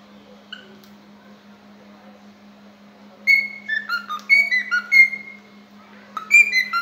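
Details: A happy cockatiel (Nymphicus hollandicus) in a singing mood sings a run of clear whistled notes, some rising, some falling, in quick bursts.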